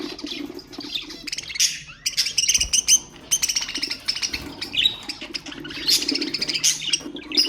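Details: Budgerigar chatter meant to stimulate other birds: fast twittering and scratchy chirps in bursts, with sharper loud notes toward the middle and a low steady hum underneath.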